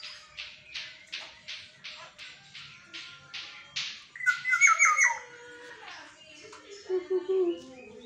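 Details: Caged black-naped oriole kept at home, prized for its distinctive whistling and heard every dawn: a run of harsh, evenly spaced rasping notes, then a brief fluty whistled phrase and lower mellow notes, with faint voices behind.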